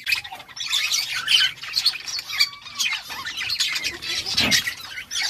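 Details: Several budgerigars chatter continuously, a dense tangle of high scratchy chirps, squeaks and warbling notes overlapping without pause, with one sharper squawk late on.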